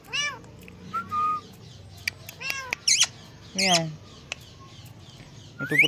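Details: Pet ringneck parakeet imitating cat meows: several bending, nasal meow-like notes and a short whistle, over a low room hum.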